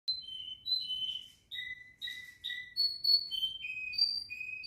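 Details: Pet canary singing at home: a lively run of clear whistled notes, some held and some sliding, jumping between high and very high pitches with short breaks between phrases. Faint low background murmur.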